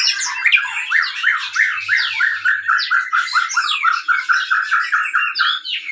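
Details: Captive White-rumped shama, a breeding-stock male used as a lure song to stimulate other birds, singing a fast, varied run of rich whistles and chattering notes, ending in a steady series of repeated phrases.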